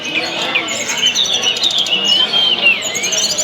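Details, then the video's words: Tledekan singing, a recording meant to get other kept tledekan singing. Long thin whistled notes that rise and fall, with quick chirps over a steady background hiss. "tes burung tledekan anda dgn video ini pasti langsung gacor"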